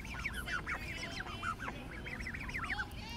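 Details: Several geese at a zoo, wandering close by, give a dense, overlapping chatter of short nasal honks and rising-falling calls throughout, over a steady low background rumble.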